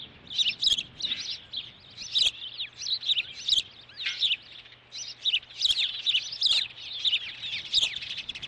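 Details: Osprey dominance display on a Dunrovin nest, 9 June 2013, as the mother brings a stick: persistent high-pitched chirping in rapid bursts, with occasional clicking knocks.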